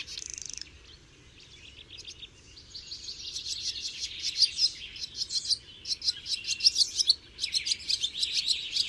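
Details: Barn swallow singing: starts with a short high burst, then a quiet stretch, then from about three seconds a quick, bubbling twitter of chirps and dry rattling notes builds and carries on to the end.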